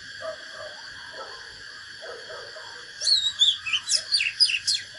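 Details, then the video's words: Oriental magpie-robin in fighting song. Faint low murmuring comes first, then a loud burst of sweet whistles and steep down-slurred notes about three seconds in, all above a continuous high drone. "KÍCH LỬA chòe than || Chích chòe than HÓT ĐẤU CHIM TỰ NHIÊN"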